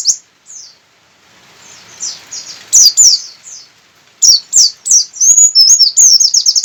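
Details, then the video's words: Javan white-eye, a local Buxtoni bird from Sukabumi, singing with open beak: a quiet start, then loud, high, rapid chirps and slurred whistled notes, several repeated in quick runs near the end. "Burung pleci buka paruh ngotot"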